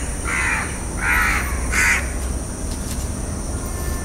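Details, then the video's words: Three harsh, nasal caws from a House crow in quick succession, then quiet with faint background hum. "House Crow (Corvus splendens) Sounds"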